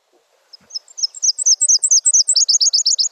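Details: Nashville Warbler song played back as a quiz item: a series of high, sharp two-note phrases, slower at first, then a faster, denser run of repeated down-slurred notes near the end, about two per second rising in pace.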